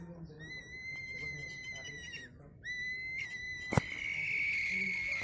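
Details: Cockatoo whistling two long steady tones, the second rising slightly into a sustained note, with a sharp click partway through and faint background murmur.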